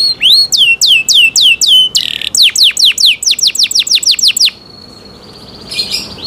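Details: Canary in cenkok style delivers slow, ringing downslurred whistles, then a burst of quick falling sweeps, a thin sustained tone and a short buzzy flourish.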